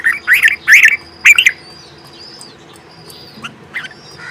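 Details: Bulbul, a female feeding her twin chicks and calling to them: harsh, scratchy chattering bursts in the first second and a half, followed by faint thin whistled notes and a few soft chirps.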